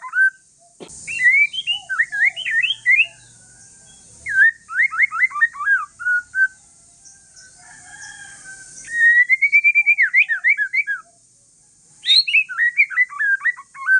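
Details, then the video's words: White-rumped shama, Aceh forest strain, singing calmly to provoke other shamas to reply: bursts of fast zigzag whistled notes, a long steady rising trill near the middle, and varied phrases separated by short silences. "Kicauan santai murai trah hutan aceh BUAT MURAI LAIN NYAUT"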